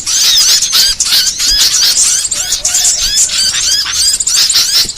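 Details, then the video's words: Small songbirds on a varied training recording used to lure and teach songbirds: dense, very high, squeaky chirps and thin slurred whistles tumbling over one another without pause. "MASTERAN BURCIL VARIASI"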